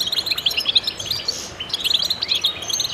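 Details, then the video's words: Goldfinch chorus: bright, rapid twittering notes from multiple birds, densely packed and overlapping, with a short drawn-out buzzy note in the middle before the chatter resumes. "voices a chorus of goldfinches in concert to stimulate birds"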